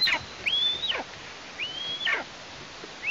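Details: Young female Eastern imperial eagle calling near its Tatarstan nest, 17 August 2023, after first flight on 14 August. Three thin, somewhat distant whistles, each rising, holding steady, then dropping away, spaced about a second apart over a quiet background.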